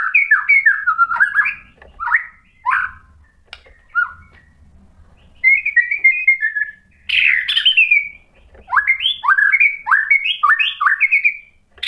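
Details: Lure song of a white-rumped shama, meant to provoke a rival into singing: clear whistled notes in fast varied runs, a drawn-out sweeping phrase midway, then rapid rising chirps near the end, with gaps of silence.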